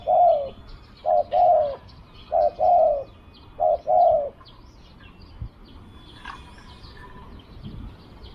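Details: Spotted dove kept as a hunting decoy, cooing four times in a steady rhythm, each phrase a short note then a longer soft descending croon, followed by quiet with distant faint chirps.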